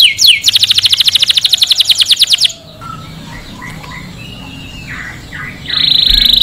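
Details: Canary song intended to stimulate male canaries and teach chicks: a fast, even trill lasting about two seconds, a quieter stretch with faint chirps, then a loud steady buzzy roll.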